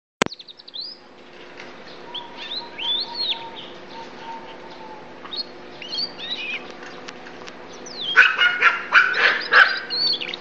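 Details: Yellow-fronted canary just finished moulting and tutored on blackthroat song sings varied rising and falling whistles, ending in louder, rapid trilled phrases, over a steady low indoor hum; a dog is heard in the recording.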